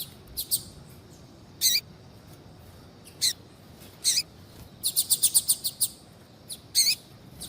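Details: Female double-collared seedeater calling to encourage a male to sing: spaced, loud high chirps, then a fast run of about eight clipped notes, ending with a few more single chirps.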